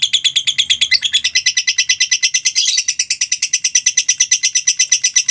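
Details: Lovebird delivering a long ngekek song, a fast continuous trill of sharp repeated high notes, about three per second, running unbroken throughout; played as a master and lure recording to prompt other lovebirds to sing.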